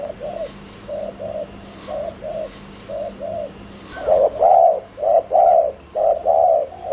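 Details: Decoy spotted dove cooing at speed to draw in wild doves: soft paired hollow coos that grow markedly louder halfway through, each pair roughly a second apart.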